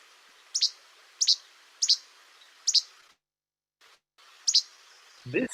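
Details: Least Flycatcher giving its innate, snappy two-note che-bek, high and sharp, repeated about every half second to second, a territorial and courtship sound given mostly by males in breeding season; a voice begins at the end.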